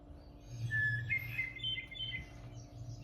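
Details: A hermit thrush in Kejimkujik woods sings a pure held whistle followed by a quick, higher, flute-like phrase that swirls and tumbles downward, over a low steady hum.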